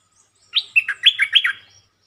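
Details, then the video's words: Red-whiskered bulbul singing a short, pleasant phrase that opens quickly: a single rapid string of about six bright, slurred whistled notes lasting just over one second, with a quiet background. "เสียงนกดอกแตงEp.150 จ้าวขันเงิน เปิดดอกเร็ว เพลงสั้นๆแต่น่าฟัง Suara pikat merbah lekir"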